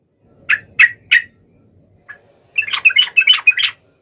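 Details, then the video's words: Yellow-vented bulbul calling a rival: three separate harsh notes, one faint note, then a burst of quick, jumbled chattering notes. "SUARA trucukan gacor MEMANGGIL LAWAN"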